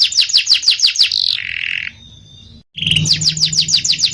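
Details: Canary in energetic 'gacor ngerol nembak' style song: a fast run of bright, sharply down-slurred notes, repeated about three times a second, then a lower buzzy trill, a brief silence, and the rapid down-slurred series again over a faint low hum.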